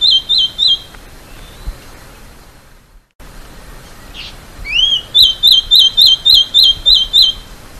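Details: Masked gnatcatcher, a small songbird of Argentina, Bolivia, Brazil, Paraguay and Uruguay, sings a series of short, high, slurred notes repeated about four times a second. Rising whistled notes lead into a second run of the same notes.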